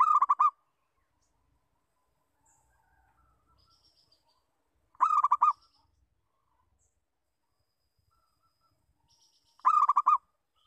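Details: Lure call of a local zebra dove: three rolling phrases of rapid mellow coo notes repeated about every five seconds, with faint high thin whistles from other birds in the quiet gaps.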